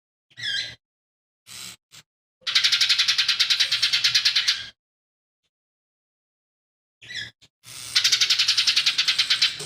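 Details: Lesser green leafbird singing, song reportedly stuffed with fighting sparrow, tengkek buto and cililin imitations; brief chirpy notes and a few clicks lead into long, dense rattling phrases of rapid harsh pulses, with a quiet low hum.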